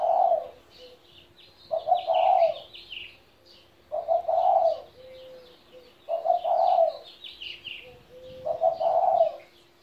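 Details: A 17-year-old spotted dove giving soft, low, hoarse coos in short phrases about every two seconds, with faint chirping of small birds behind.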